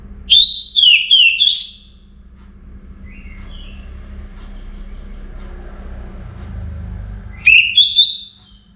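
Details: Caged orange-headed thrush singing ahead of morning: a burst of three loud warbled whistles, softer twittering notes in the pause, then another rising whistled phrase, with a low hum throughout.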